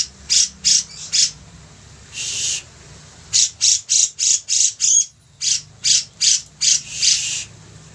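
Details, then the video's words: Grey-cheeked bulbul singing lively as a master track; quick harsh squawks in groups, separated by a long buzzy rasp and a short pause, then a renewed rapid series. "Cucak jenggot gacor, cocok untuk masteran"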